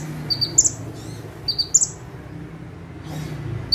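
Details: Bar-winged prinia singing from a fixed perch: two high phrases of short notes ending in a bright upward whistle, then a pause with a soft rustle before another note, over a low hum.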